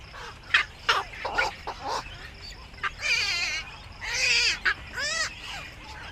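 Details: Black-crowned night heron coming back to the nest at evening, giving loud, hoarse croaking squawks, two drawn-out and grating, with shorter clipped barks before and after amid faint background chatter.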